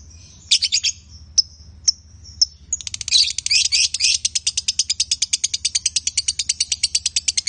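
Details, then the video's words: Male and female lovebirds singing: a few sharp high chirps, then a long fast train of buzzy, evenly pulsed high notes chattered without pause. "Love Bird Jantan & Betina suaranya Bagussss"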